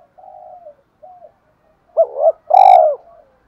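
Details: Spotted dove in a call-and-fight cooing style. Two soft low coos, a pause, then a hooked two-part coo and a loud rolling final coo with a clicking onset, trailing off softly.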